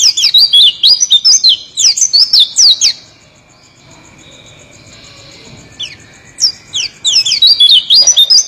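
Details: Oriental white-eye singing a rolling song: long rapid strings of high, looping, slurred notes, broken by a quiet gap of about three seconds before the song resumes.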